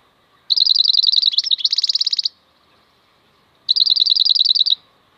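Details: Clean recording of a wild European goldfinch: a rapid, ringing trill of high evenly spaced notes moving into a denser buzzy section, then a second short trill after a pause.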